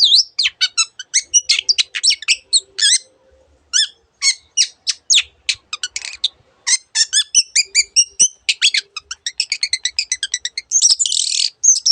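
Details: Long-tailed shrike, Lanius schach, in a long gacor song full of variants of other birds' sounds. Rapid runs of squeaky chips and buzzy notes, brief pauses, ending in a dense harsh buzzing burst.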